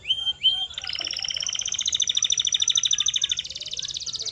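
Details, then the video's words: Canary training song meant to make canaries sing: two rising whistles, then a long, fast, even rolling trill that goes on for over three seconds. "The Ultimate Sound to Make Any Canary Sing Unstoppable!"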